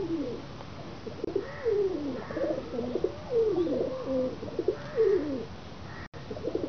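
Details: Several pigeons give low, gliding coos that swoop downward and waver, repeated in overlapping phrases roughly every second, with faint higher notes and a light hiss behind them.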